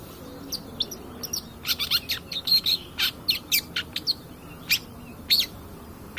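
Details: Provoking lure recording of a long-tailed shrike, brisk chattering of dry clicks and squeaky whistled notes, busiest in the middle and thinning toward the end.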